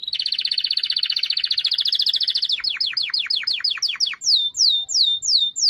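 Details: Singing canary with a dense buzzy trill, then a series of steep descending sweeps, finishing with slower clear whistled downslurs repeated about twice a second.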